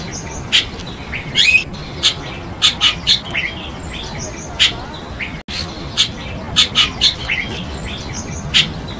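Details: Chestnut-tailed starling, an exotic species in Taiwan, calling with clipped high chirps and buzzy squeaks, often in quick pairs or triplets, spread irregularly over nine seconds against a soft background hiss.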